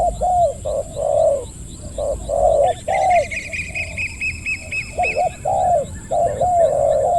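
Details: Spotted dove during decoy trapping, with a wild bird near the decoy bird, gives deep, hooked coos in quick phrases of two or three notes; a thin, high chirping series from another bird joins partway through.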